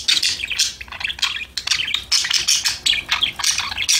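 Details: Budgerigars chirping, singing and chattering to each other in a continuous, busy warble of high squeaks and rapid chirps, several birds calling at once.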